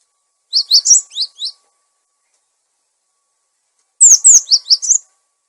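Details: Cinereous tit lure sound, clear voice, also used to tutor caged birds that have stopped singing: two short bursts of quick, sharp, high descending chirps about three seconds apart, silence between, no other sounds.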